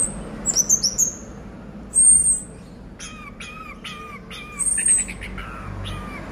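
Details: Caged orange-headed thrush, or anis merah, singing 'gacor teler' while its cage is shaken: quick high trilled notes and a long thin whistle, then a series of lower downslurred whistles repeated about every half second.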